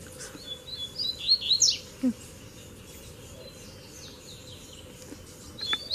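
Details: Caged Double-collared Seedeater brought to open countryside in Brazil to contest territory by singing against free-living seedeaters; bursts of high, thin chirping notes near the start and again at the end, over a steady low hum.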